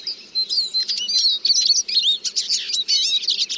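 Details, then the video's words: A Eurasian siskin (Spinus spinus) sings a fast, unbroken twittering stream of high chirps, trills and thin slurred whistles, with no other sounds heard. "The song of the Eurasian Siskin"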